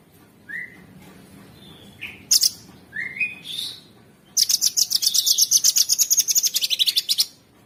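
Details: Sooty-headed bulbul song used as tutor audio for songbirds, with a rough, nonstop fill: short rising whistled notes, then a long rapid run of harsh, buzzy chattering notes repeated several times a second.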